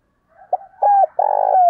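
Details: Spotted dove used as a decoy, cooing to attract wild birds: two short low notes, then a brief coo and a long, loud, vibrating coo that slides down at the end.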